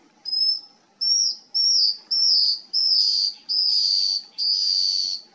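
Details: Scaled antbird (Drymophila squamata) song at Sertão São Lourenço, Bertioga, São Paulo, Brazil, October 2020: a series of thin, high whistled notes, slightly falling, given about twice a second over a soft insect-like hiss.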